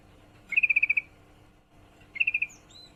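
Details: Calling female yellow-vented bulbul in heat, summoning a male with a fast run of eight sharp chirps, then a shorter run of five, and a faint higher whistle at the end.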